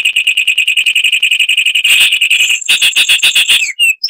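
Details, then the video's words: Loud Zapata wren song, Cuba: a long fast trill rolling on for nearly two seconds, shifting into a harsh, coarse rattle and ending in one falling whistle. "Masteran Burung Zapata Wren"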